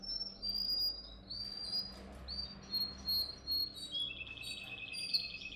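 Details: Canary song for training: soft, high whistled notes and short slurred phrases spaced irregularly, ending in a fast, even, high trill. Fairly quiet, with faint low background hum.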